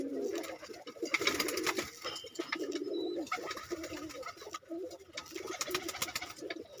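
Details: Several domestic pigeons of a blood line, let out and calling, coo together in low throaty rolling notes overlapping almost continuously, with clattering, wing flutters and indoor rustling behind.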